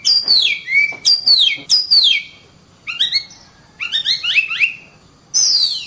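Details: Oriental magpie-robin song: three sharp descending whistles in quick succession, then two bursts of rapid stepped chirps, and a final loud downslurred note.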